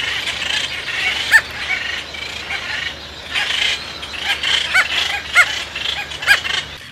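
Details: Sooty terns at their nesting colony on Lady Elliot Island, Great Barrier Reef, give sharp, nasal calls at irregular intervals, a few louder ones over a dense chorus of other seabirds.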